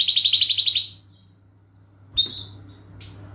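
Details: Canary singing a long song meant as a lure for other birds: a quick, bright high trill, a pause, then short, pure whistled notes spaced apart against a quiet hum.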